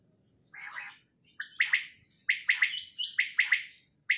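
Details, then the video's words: Female quail giving a soft opening note, then clusters of two or three sharp chirps with brief pauses between groups, clean and fairly close, with faint low background hum. "топлама солмок бедана Садои бедонабедана сайраши Batair Ki Awaz Quail sounds"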